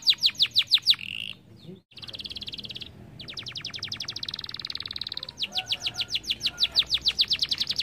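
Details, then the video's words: Canaries singing: long trilled phrases of rapid, evenly repeated notes, some sweeping down, others steady buzzy rolls, broken by brief pauses, with fast repetitions accelerating near the end. "Suoni di canarini che cantano"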